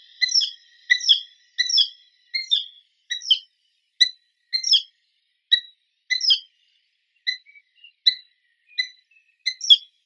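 Eurasian hobby giving a steady series of sharp, scratchy 'kew' notes, roughly one or two per second, high and clear against a quiet background.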